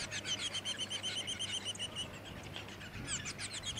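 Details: Splendid fairywren, subspecies melanotus (black-backed wren), in Victoria, Australia, December 2017, delivering a rapid high reeling trill of evenly repeated notes for two seconds, a brief pause, then another sharp burst of trilled notes.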